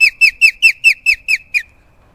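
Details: A captive osprey with an amputated wing, at a raptor centre, calls loudly on seeing people: a quick run of eight loud, high whistled notes, each slurring slightly downward, about four a second, then stops.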